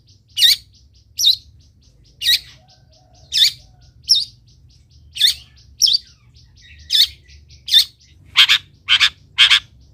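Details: Long-tailed shrike song used to train other birds to sing: sharp, harsh high chirps repeated about once a second, ending in a quicker burst of three scratchy notes, over a low steady hum.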